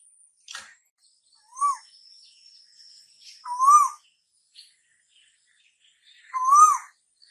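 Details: Asian koel (tu hú), said to herald summer's arrival: clear whistled notes that rise then dip, repeated three times at roughly two-second intervals, with faint high chips from other birds.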